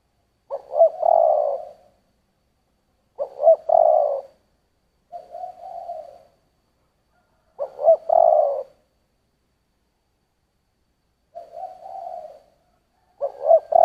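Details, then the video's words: Spotted dove singing in the 'giọng thổ' style. Low, mellow coo phrases with a quick stuttered start and a drawn-out end, each about a second long, alternating with softer, shorter coos every few seconds. The background is otherwise silent. "Tiếng chim cu gáy giọng thổ"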